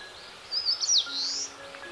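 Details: Eastern Crowned Warbler singing during a bird walk in North Harima, Hyogo, Japan: a short, high, slurred whistled phrase with quick rising and falling notes, then a fainter trailing note, over steady background noise.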